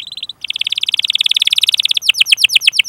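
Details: Canary song for stimulating other canaries: a short buzzy note, brief gap, then a long even rolling trill of rapid pulses, switching to a series of faster falling chirps.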